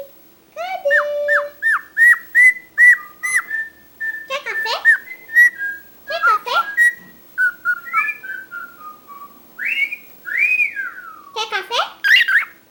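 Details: Chatty pet cockatiel delivering a busy, rapid sequence of sharp clicks and short whistled notes, then sliding rising and falling whistles and harsh chatter, with a little speech audible alongside.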